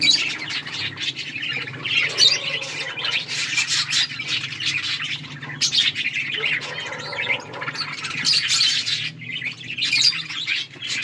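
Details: Budgerigars eating and playing, a continuous mass of scratchy chirps and squawks from several birds, steady chatter over a low background hum.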